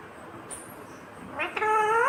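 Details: Green ringneck parrot voicing a single loud, drawn-out, harmonic speech-like note that swells and rises slightly at the end. A faint click comes before it, and the background is quiet.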